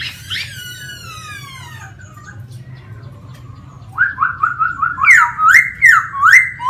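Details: Wild laughingthrush begins with a harsh, descending, harmonic-rich note, falls quiet, then delivers a rhythmic string of loud rising whistles repeated about every half second, with a low hum beneath.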